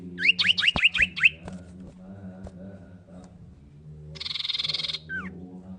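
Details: Common iora female calling the male: a rapid run of five sharp upswept whistles, followed later by a loud buzzy burst and a short falling note, over a continuous low hum.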